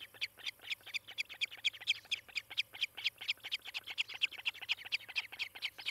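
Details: Osprey at a nest in Charlo, Montana, filmed by a nest camera on the morning of 18 July 2018; rapid series of sharp, high chirped whistles, about two per second, steady and insistent throughout.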